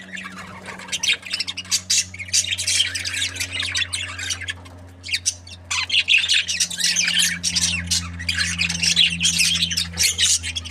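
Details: A breeding pair of Australian budgies chatters almost without pause, a busy mix of scratchy warbles, squeaks and clicks, with a steady low electrical hum underneath.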